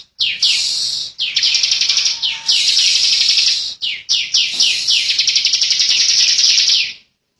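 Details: Bar-winged prinia delivering long, tight 'ngebren' song. High, buzzy trilled phrases of rapid chattering notes run one to three seconds each, separated by very brief breaks. Background stays quiet.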